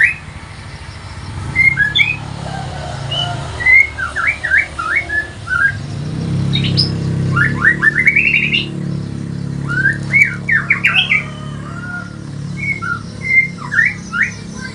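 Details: White-rumped shama lure recording made in the morning: clear whistled notes, many rising or falling sharply, given in quick bursts of two to four and repeated through the clip, over a low steady rumble of vehicle noise.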